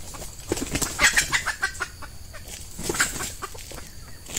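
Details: Red junglefowl hen used to lure males in scrubby peatland: repeated harsh, throaty clucks in uneven bursts, some louder and sharper, amid rustling and a faint insect hum.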